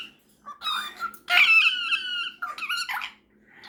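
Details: Pet cockatiel chattering with a superb parrot indoors before bedtime, a conversation between the two birds: bright harmonic whistles and squawky notes, one long warbling phrase at mid-pitch, then shorter rising chirps, in a quiet small room.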